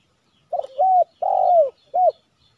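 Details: A wild spotted dove, targeted by morning lure-trapping near Silaban village, Lintong ni Huta, Indonesia, gives a soft, mellow three-part coo: a short wavering note, a longer slurred falling note, then a brief final note. It responded poorly, perhaps due to weather and eagles.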